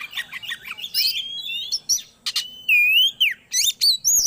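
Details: Magpie-robin (kacer) song used to bring birds into breeding condition: quick chattering notes leading into a long sliding whistle, then clear rising and falling slurred whistles and sharp chirps in close succession.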